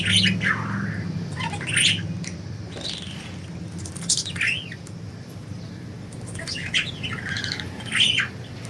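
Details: Free-flying pet budgerigars chirp busily, with quick bright notes and swooping squeaks scattered throughout, over a constant low droning hum.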